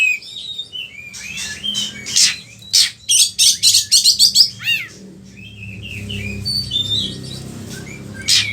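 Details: Oriental magpie-robin's lively song for training other birds: scattered whistled notes, then a fast series of loud, harsh chips about three per second, followed by softer warbling whistles.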